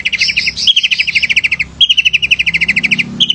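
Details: Male long-tailed shrike in full song, used to provoke lazy shrikes into singing: rapid chattering trills of repeated notes, alternating low and high phrases, delivered in long unbroken bursts.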